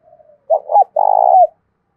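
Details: Decoy spotted dove with a thổ-style voice, cooing to provoke wild doves to coo back: a faint soft note, then a short two-part coo and a long, loud, rolling purred note, all mid-pitched; otherwise quiet.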